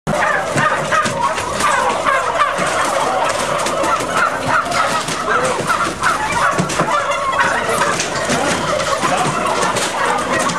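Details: A dense, unbroken chorus of many turkeys on an intensive turkey farm, 2010, with overlapping gobbles and yelps filling a large shed with constant chatter and a steady background hum.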